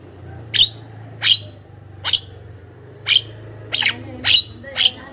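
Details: Javan myna sound offered as a lure for wild birds, made of seven sharp, harsh chirps evenly spaced about every 0.6 seconds over a steady low hum.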